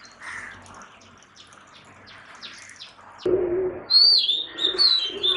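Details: Oriental magpie-robin, the national bird of Bangladesh, gives loud clear whistled phrases near the end, sliding down and wavering, after a quiet stretch of faint chirps and a brief lower rustling burst.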